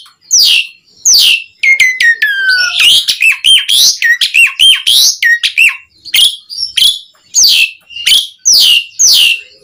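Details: Singing Asian pied starling, used as a lure to get other starlings singing: sweeping downslurred whistles repeated about every second, broken by a long falling whistle and a dense stretch of chattering clicks and buzzes.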